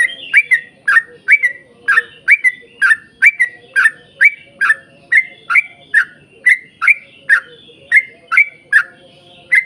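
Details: Energetic yellow-vented bulbul singing in the long 'ropel panjang' manner, used as a lure so others join in: evenly spaced, gurgling whistled notes, about two or three per second, each a quick downward-sliding warble.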